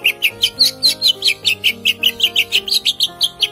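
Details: Captive Greater Green Leafbird, shown as a bird with strong stamina and long song rolls: a fast, even run of bright, high chirped notes, about four per second and slightly varied in pitch, over soft background music.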